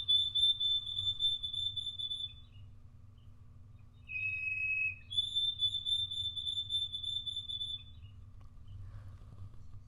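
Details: White-throated sparrow (Zonotrichia albicollis) song, rendered in New England as "old Sam Peabody" and in Canada as "oh sweet Canada": clear, pure whistles, a long high note, a short dip lower, then long high whistling again, over a faint low hum.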